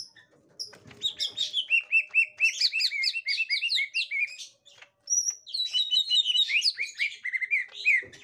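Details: Green leafbird, a caged adult reacting to a young wild bird of its kind: dense chattering stream of short downslurred and hooked notes, briefly pausing before a second rapid burst of varied chirps.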